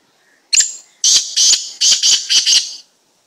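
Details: Black francolin, described as an unusual slate-coloured kind, giving a loud, harsh, grating phrase: one short sharp note, then four rasping bursts in quick succession over about two seconds, very close, with silence around it.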